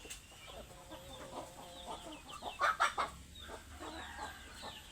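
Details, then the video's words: Hungry chickens clucking: a dense run of short overlapping clucks, then a louder burst of three sharp, higher squawks near the middle before the low clucking resumes. "Suara ayam lapar"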